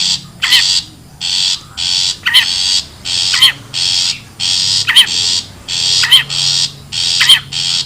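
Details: Wild long-tailed shrike lure sound: a regular run of raspy, grating bursts, each pair introduced by a sharp, wavering squeak, repeating about every 1.2 seconds over eight seconds.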